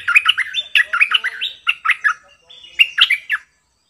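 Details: Decoy bulbul in full doubled song, one of many songs it sings: quick bubbly whistled phrases tumbling up and down, a short pause, then a final burst of three bright notes before silence.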